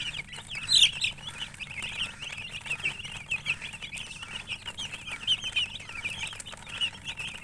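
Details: Chickens of coloured plumage give a steady stream of thin, high-pitched cheeps, with a louder sharp peep near the start, above a low background drone.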